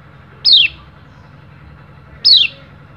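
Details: Bali Oriental white-eye, a male challenging rivals, recorded as training material; two loud falling whistled notes nearly two seconds apart against a quiet low hum.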